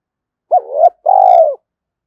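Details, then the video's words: In the morning, a spotted dove calls to provoke a wild rival into a fight. The phrase is two deep coos, a brief rising note swelling into a longer, even, rich coo, with silence around it. "Tiếng chim cu gáy thúc đấu với bổi buổi sáng"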